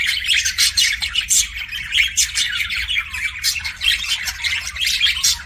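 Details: Pet budgerigar making kissing sounds: a dense, continuous high chatter of scratchy chirps and squeaky bursts with no pauses.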